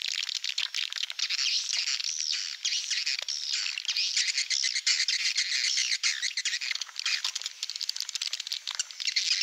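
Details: Lure call for swiftlet farming in Malaysian style: busy, overlapping high-pitched twitters and trills forming an unbroken chorus throughout.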